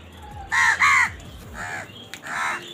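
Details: Angry crows while eating, squabbling over food: two loud harsh caws in quick succession, then two softer, lower caws after a pause, with a low rumbling background.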